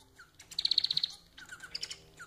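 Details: Caged pet society finch song: a short low slurred note, then a fast run of about eight high clicking pulses, followed by softer buzzy chattering notes.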